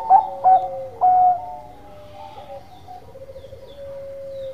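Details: Bangkok zebra dove giving three quick coo notes near the start, then long sustained tones from birds in the background fill the rest.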